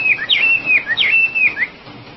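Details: Oriental magpie-robin (wambi) giving two matching whistled phrases, each a sharp upward flick followed by a long level whistle and a short falling note.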